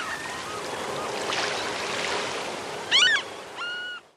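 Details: Steady rushing water or surf noise, then near the end a Franklin's gull (Leucophaeus pipixcan) in La Rioja, Argentina, gives two brief nasal calls: a harsh, wavering note and a flatter, drawn-out one.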